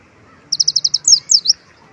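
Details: Olive-backed sunbird song carrying white-eye imitation: six rapid, evenly spaced, high chirps followed at once by three quick downward-slurred notes, all within about one second.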